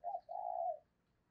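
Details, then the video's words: Lure spotted dove calling in 2022: a brief clipped note leading into a long, smooth, level coo that fades out, with faint background hiss. "tiếng cu gáy - Chim Cu Mồi Thúc Và Gáy Gọi"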